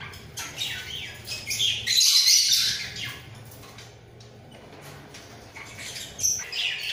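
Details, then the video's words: Pair of budgerigars in a breeding cage, bobbing their heads as they call: scratchy, broadband chatter in short bursts, loudest in a grating rush about two seconds in, then softer fragments over a faint low hum. "Sepasang Burung Parkit Gacor"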